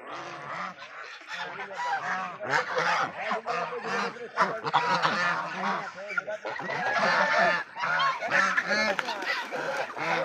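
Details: Farmed Raj duck flock giving loud, overlapping nasal honks, rapid and irregular, with many birds calling at once throughout and a brief lull near the middle.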